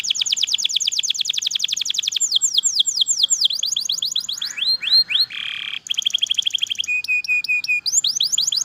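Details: Varied canary song with quick whistled trills, changing tours, a few rising slurs, a brief harsh buzzy passage, and a steady flat whistled stretch before the trills return.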